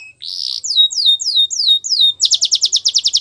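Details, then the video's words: Canary singing for training young birds: a buzzy opening note, then a run of clear downslurred whistles about every quarter second, ending in a fast rhythmic trill of sharp repeated notes. "The Best Canary Singing For Training"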